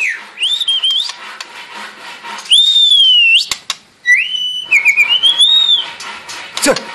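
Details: White-rumped shama being prepared for a song contest, delivering long pure whistles, some steady and some arching, with high clicks and a background hiss throughout.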